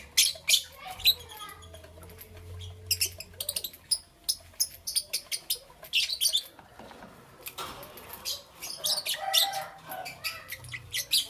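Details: Lovebirds chirping in the morning: a long run of sharp, high, clicking chirps repeated several times a second, with brief quiet gaps and faint low hum behind.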